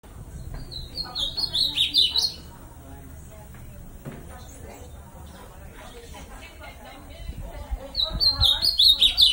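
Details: Ultramarine grosbeak, song of the bico de aço style: two bursts of sweet, high, rapid warbled notes, one early and one at the end, with a quieter murmur of voices and low noise in between.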